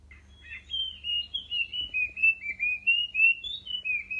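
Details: Orange-headed Thrush, recorded clearly as a call said to draw birds in quickly, singing a continuous, varied warble of sweet, slurred phrases, rising and falling at a fairly high pitch, over a faint low hum.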